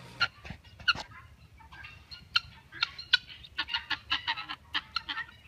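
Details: Helmeted guineafowl, a breeding flock raised on a property for tick control, giving harsh, scattered calls. Short broadband notes come singly and in small clusters, with a faint background rumble.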